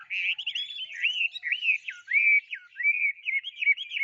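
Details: Loud, clear whistled bird song of looping, swooping notes delivered in an unbroken flowing series.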